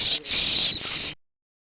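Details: Chimney swift nestlings from a nest brought into a rescue center give a harsh, high, hissing buzz, one steady rasp of just over a second with no other sounds.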